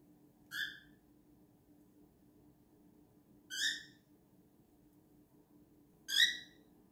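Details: Pet cockatiel, in a dispute with another cockatiel over a perch, gives three short, harsh, ringing calls spaced a few seconds apart over a low steady hum.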